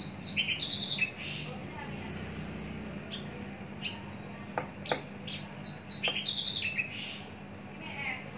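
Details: Caged mature Javan bush lark gives bursts of high clipped whistles and short trills at the start and again later. The quieter middle has scattered chips, with low background noise and hum.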